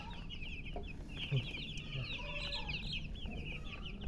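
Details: Baby chickens, several chicks chirping together: a dense, continuous stream of short, high, slightly rising peeps overlapping throughout, with a steady low rumble of background noise underneath.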